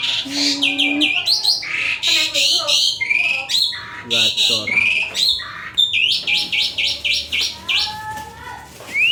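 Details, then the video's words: Asian pied starling singing vigorously: a dense medley of loud whistles, rising and falling notes, harsh chatters and rapid repeated phrases, nearly continuous over nine seconds. "JALAK SUREN SUPER GACOR"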